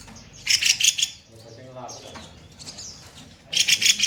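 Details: Kopi-kopi songbird song for training other songbirds in the rough-shot style: two short bursts of fast, sharp, high chirping at the start and end, with a softer low warble and background hum between them.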